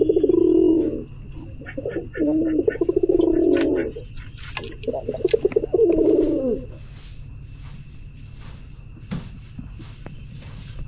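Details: Three rolling, throaty pigeon coos follow one another over about six seconds, each pulsing and wavering, then fall silent, leaving a steady high-pitched hum and scattered faint ticks.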